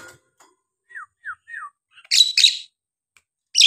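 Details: Captive Nias hill myna in full song, played to stir lazy birds into singing: three short falling whistles, then bursts of harsh, rasping high notes with a brief silence between.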